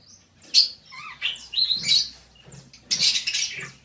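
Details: Budgerigar song: a continuous, rambling mix of scratchy chatter, squeaks and short warbled whistles, loudest near the end.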